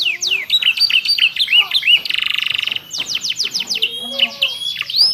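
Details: Canary master song for training caged birds, with ciblek and prenjak fill: chattering mixed whistles, a short buzzy pulsed roll, then a series of quick falling notes and thin high tones.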